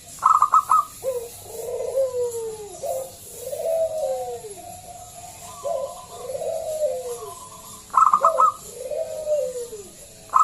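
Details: Loud local zebra dove used as a lure to make other doves sing, giving repeated phrases of rapid clipped notes followed by drawn-out, falling, slightly wavering coos, several in sequence.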